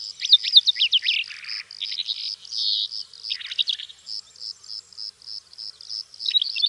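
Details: Calandra lark in Greece delivering a burst of quick chirps and dry rattling notes for nearly four seconds, followed by an even, pulsed high buzzing and a final short twitter.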